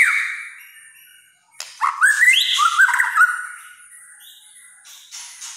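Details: White-rumped shama singing in kretekan style: a fading whistled note, a pause, then a burst of rich warbled and whistled phrases at mid to high pitch that trail off.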